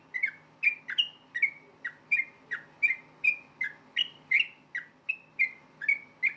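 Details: Singing yellow-vented bulbul in combative rapid style, intended to make other bulbuls respond; quick chain of short whistled notes alternating between two pitch levels, around two and a half per second, with a faint droning background.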